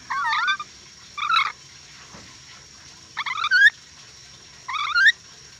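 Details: A tame Ornate Lorikeet (Trichoglossus ornatus), a Sulawesi bird endemic to Indonesia, gives four harsh, wavering screeches in about five seconds, each a rough, chattering burst rising in pitch at the end, with quiet pauses between.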